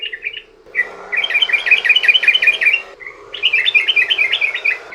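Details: Sooty-headed bulbul, long-phrased song used as a lure to get other bulbuls singing: loud rapid strings of bright bubbly chirps in two extended bursts separated by a short pause, with a faint background hum.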